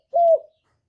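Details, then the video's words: A single low, hollow coo from a spotted dove, a sound played to lure wild doves into traps and stimulate caged ones; one smooth, steady note lasting about a third of a second, then silence. "Tiếng cu gù cực chuẩn dùng đi bẩy, kích chim nhà hiệu quả"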